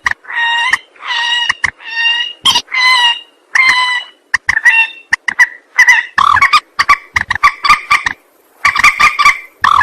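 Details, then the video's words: Rail calls played as a lure for trapping and shooting: loud, harsh, nasal notes, several drawn out with rich overtones, in irregular bursts, breaking into rapid clipped notes and brief pauses. "Suara pikat burung mandar"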